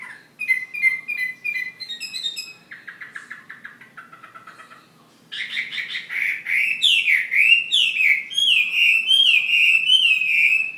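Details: Fighting Chinese hwamei from Ha Giang opens with fast repeated staccato notes in two differently pitched series, then after a brief pause bursts into loud rolling whistled phrases, each slurring downward.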